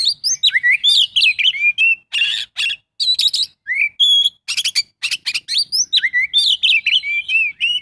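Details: Oriental magpie-robin, full isian song mixing swooping whistles with several harsh, broadband rattling bursts, the phrases following each other closely.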